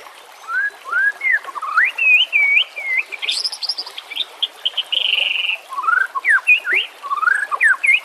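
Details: White-rumped shama song used as a lure and as a training aid for non-singing birds, over nature sounds and trickling water. Rising whistled slurs are joined by a sustained, buzzy, high trill, then more quick upswept whistles.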